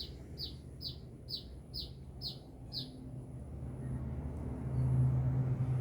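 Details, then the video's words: Sunbird from Binjai in lively song, giving seven evenly spaced high descending chirps in a fast run, then falling silent while low traffic-like rumble grows louder. "Burung kolibri gacor"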